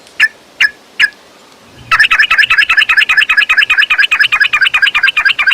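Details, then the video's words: Yellow-vented bulbul, a lure recording meant to stir a caged bird into fighting song with long rapid trills: three separate sharp chirps, a pause, then a fast, steady run of bright, clipped notes repeated several times a second. "Trucukan Gacor TARUNG ROPEL PANJANG || Pancingan Trucukan Agar Bunyi Gacor EMOSI!"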